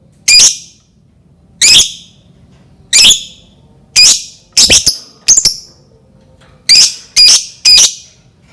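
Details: Lovebird lure call to make other lovebirds sing: a string of shrill, rasping screeches at uneven intervals, some coming in quick doubles and triples; quiet room.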